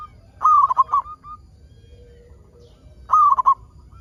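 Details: A local zebra dove, recorded to prompt other zebra doves into song, gives two loud, trilling coo phrases about two and a half seconds apart over a faint background hum.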